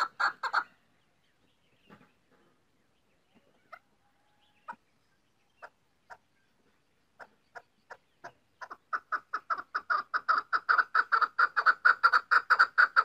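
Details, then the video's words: Female chukar partridge giving scattered single clucks that build into a rapid, regular run of loud chuckling notes near the end. "chakor female ki awaaz"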